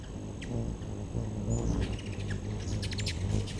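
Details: Hummingbirds around a backyard feeder in early September, giving scattered high, thin chips and short twittering bursts over a steady low hum and background rumble.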